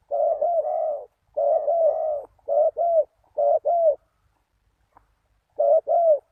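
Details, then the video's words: Spotted dove cooing as a lure for wild doves: long blurred coos followed by crisp paired notes, a pause of over a second, then one more pair of arching coos. "Chim cu gáy chiêu kích mồi tập bổi nhanh nổi hiệu quả"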